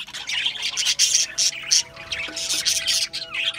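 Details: Budgerigars chirp in dense bursts with short, bright whistled notes repeated, while steady low tones drone softly underneath the flock's chatter.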